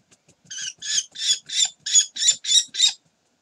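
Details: Common kestrels at a nest on Sägeweg on 26 June 2020, around 6:30 in the morning as the last young bird fledges; eight loud, harsh, scratchy notes come in a quick regular series, about three per second, over a quiet background.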